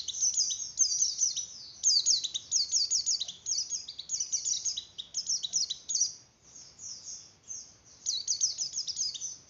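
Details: Javan grey-throated white-eye song in the fluttering breeding style, used to stimulate breeding condition in other white-eyes: rapid high thin twittering phrases with quick downslurred notes, in bursts of about two seconds separated by brief pauses.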